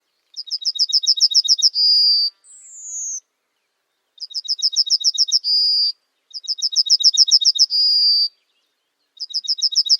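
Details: Yellowhammer singing: a quick run of about ten short, high, bright notes that ends in a long, sustained whistled note, with the phrase repeated about every three and a half seconds in otherwise clean silence.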